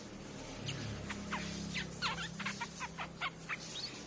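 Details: Lure sound of a streak-eared bulbul, used to draw birds in. Quick run of short sharp chipping notes, roughly two to three each second, growing clearer toward the end against a low background drone.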